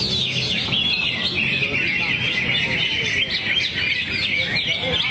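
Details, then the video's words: Greater green leafbird singing its repertoire, a bright, busy chatter of quick twitters and whistled slurs running without pause, over a low murmur of voices. "Cucak Hijau"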